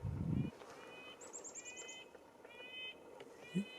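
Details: Red-breasted Nuthatch in winter, calling at first from off in the distance, then from close up in the trees, giving nasal, tinny, laughing notes in short repeated bursts; a thin, rapid high series from another bird cuts in, with a brief voice and a thump.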